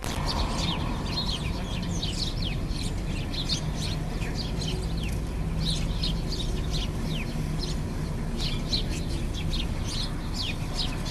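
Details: House sparrows in India eating rice, a flock giving many short, overlapping high chirps in a constant busy chatter, over heavy low rumbling background noise.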